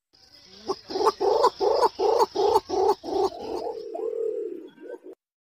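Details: Green imperial pigeon call, a recording meant as a lure to draw the birds in: about eight loud, throaty pulsed notes in quick succession, then a longer drawn-out moaning note and a short tail, over a faint steady high hum.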